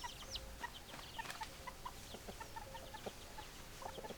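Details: Chickens heard as short, repeated low clucks, several per second and uneven in spacing, with a steady busy chatter of high thin chirps running throughout and a faint low hum.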